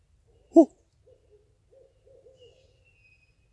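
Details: A Barred Owl in East Texas during cold-weather camping by water gives a series of low, muffled hoots, one loud note followed by softer quick hoots trailing off in the distance on a quiet night.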